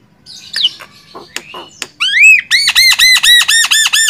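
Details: Javan myna (jalak kebo) song for training songbirds: scattered scratchy notes, then a rising whistle followed by a fast series of loud arched, squealing notes repeated about twice per second.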